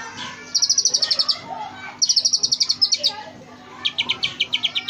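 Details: Oriental magpie-robin singing a mimicry-filled tutoring song: bursts of very rapid, high, evenly spaced ticking notes, each run lasting about a second, with softer warbling between.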